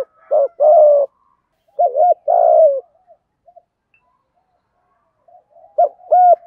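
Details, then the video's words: Male and female spotted doves cooing as a lure for wild birds; phrases of a short note then a long throaty coo, a pause of a few seconds, then soft faint coos before another loud phrase. "Chim cu gáy thúc gù cực đỉnh dùng để anh em kích bổi mới hiệu quả, bổi gáy theo rất sung"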